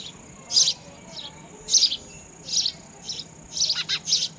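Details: Sparrow chicks being fed raw insects by a parent: short high chirps in bursts about once a second, some doubled, with a steady faint high hiss behind.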